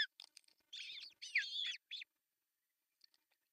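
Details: Osprey nest in Pohjois Satakunta, Finland, June 10, 2024, as the male delivers a large fish at breakfast time. Rapid high ticks, then two long harsh whistled outbursts and a short call before silence.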